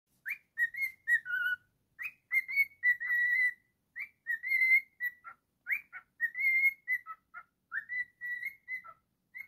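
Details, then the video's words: Pet cockatiel singing: a cheerful run of short whistled phrases, mostly mid-pitched slurred notes with occasional dips, repeated in bursts with brief pauses, in a quiet room with no other sounds. "Cockatiel singing"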